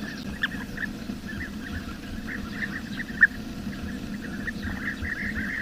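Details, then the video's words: Chorus of wild bee-eaters: many short overlapping chirps, a couple of louder sharp notes standing out, with a persistent low rumble underneath. "SUARA BURUNG KICAU"Bee-Eater"(Kicau Mania)Gacor di alam liar."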